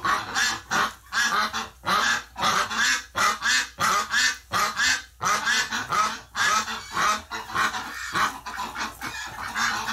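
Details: Flock of ducks in an uproar after losing a flockmate in hospital, November 2018: steady stream of raspy quacks from multiple birds, fast and overlapping at first, then slightly softer toward the end.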